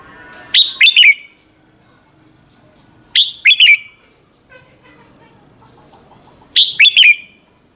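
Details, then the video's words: Lure recording of a red-whiskered bulbul's fired-up morning song for training other bulbuls: three quick phrases of three or four loud, clear whistled notes falling in pitch, separated by silent gaps of two to three seconds. "luyện giọng chào mào hót buổi sáng, Hót hay nhanh lửa"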